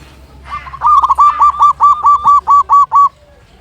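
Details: Loud local zebra dove kept as a singing tutor for other zebra doves; after a soft start, one phrase of about eleven crisp coos repeated at an even, quick pace.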